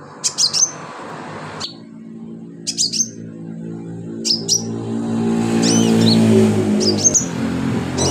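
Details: Sunbird singing actively, used as filler song for training other birds: short bursts of sharp, high chirps and quick down-slurred notes in clusters, separated by pauses, over a steady low hum.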